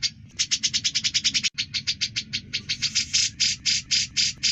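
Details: Grey-cheeked bulbul singing actively, kept as a tutor recording for other songbirds: rapid bursts of bright, high chipping notes, about two per second, in a steady rattling series with brief gaps.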